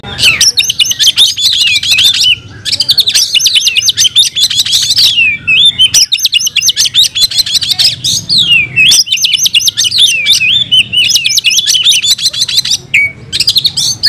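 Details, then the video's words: Fighting song of an oriental magpie-robin, the kacer, delivered in long, unbroken runs of very fast, shrill twittering with many swooping whistles, each bout lasting several seconds before a brief break and a fresh outburst. "Kacer gacor tarung bongkar isian"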